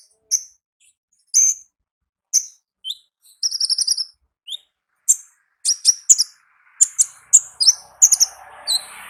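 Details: Wild olive-backed sunbird (konin ninja) in ngalas style: spaced single high chirps at first, then a fast buzzy trill, building to quicker paired tweets and twitters toward the end.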